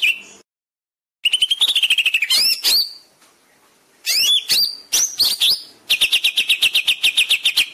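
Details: Greater green leafbird song used to train caged birds: rapid trilled runs, sharp rising whistles and chatter in several bursts, finishing with a steady repeated trill.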